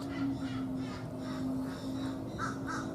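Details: Canada geese at the Save Our Seabirds sanctuary, recorded 2 March 2019, give five or six harsh, nasal, trumpet-like honks in uneven bursts over a steady low hum.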